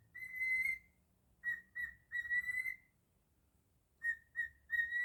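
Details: Cockatiel kept as a pet whistling a Jingle Bells tune: one long pure note, two quick short notes, another long note, a silent gap, then three clipped notes at the same steady pitch.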